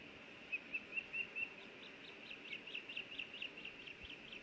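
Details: Osprey pair at their Hellgate Canyon nest in Missoula, Montana, May 24, 2024, during feeding of a small fish: five clear high whistled chirps, followed by a softer, faster run of repeated chips.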